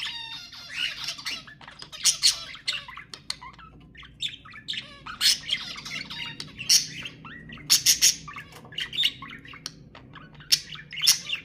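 Budgerigars warble continuously in a dense, scratchy chatter of chirps, clicks and squawks, with several birds overlapping and no other sounds.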